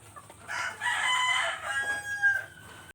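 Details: A free-range rooster gives a single hoarse, harmonic cock-a-doodle-doo lasting about two seconds. It is loud and sustained in the middle, then tapers, with a brief final rise before it stops.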